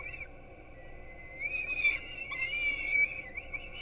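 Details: Peregrine falcon young at a webcam nest in Gdynia, Poland, being fed at 4:21 am on 5-11-16. A single sustained, whining scream gradually rises and wavers, growing louder toward the end over a faint low hum.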